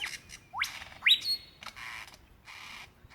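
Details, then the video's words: Lyrebird in Dandenong Ranges National Park, Victoria, Australia, February 2016, singing to attract a female: steep upward-sweeping whistles, a held high note and harsh buzzy bursts. "Rare and incredible sounds of a Lyrebird calling for his mate"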